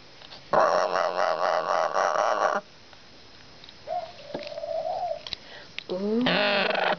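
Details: Caged pet male parrot screaming from nesting urges, vocal since the end of January, in a new wooden nest box with soft wood chunks for shredding. A two-second harsh, raspy scream, a brief whistle-like tone, then another loud harsh screech.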